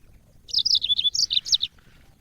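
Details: Brief phrase from a yellow-fronted canary, recorded as training audio for cage birds: a high twittering burst of slurred, warbling notes lasting barely more than a second.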